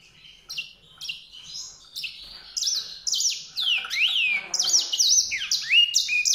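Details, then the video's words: White-rumped seedeater song: a lively, fast run of varied high whistled notes, slurred upsweeps and downsweeps and short trills, growing louder and denser through the phrase, with no other clear sounds. "song canário-de-sobrebranco, Weißbürzelgirlitz, Edelzanger, kanárik sivý, zvonohlík šedý, greysinger"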